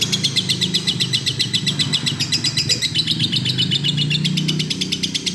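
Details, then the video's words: Lovebird giving rapid 'gacor' song, strings of sharp high chirps at roughly four per second, with a steady low engine-like rumble underneath throughout. "burung love bird gacor"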